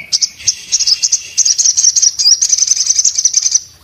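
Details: Orange-headed thrush in breeding condition giving an almost continuous high, twittering trill with a lower buzzy undertone, pulsing rapidly for about three seconds before fading.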